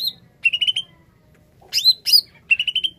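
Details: A greater green leafbird in strong voice, used as a lure for wild birds, gives quick bursts of bright, rich chattering notes, a run of four or five rising phrases, then sharper squeaky upswept notes.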